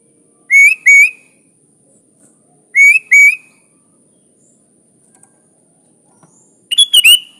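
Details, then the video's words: Sooty-headed bulbul singing the lively 'gacor' style with natural fill-in phrases, used to tutor young bulbuls: paired clear whistled notes rising slightly, given twice, then a busier warbled burst near the end. "Suara Burung Kutilang Gacor full isian alam"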